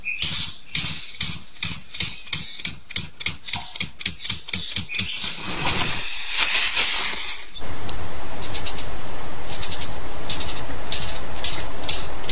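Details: A male Cabot's tragopan in southeast China gives its courtship display: a steady run of dry flapping clicks, about two per second, then a hiss and loud wind-like noise.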